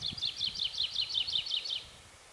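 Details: Wood lark in Yorkshire giving a short burst of song: around nine clear, falling whistled notes in quick even succession, each dropping sharply in pitch, over a soft low rumble.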